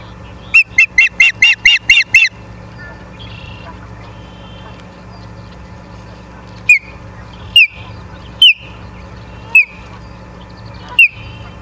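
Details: Osprey at its Charlo, Montana nest, 14 September 2023, evening, on a live nest camera: a fast series of seven shrill whistles, a pause, then single sharp downslurred chirps roughly every second, over steady hum.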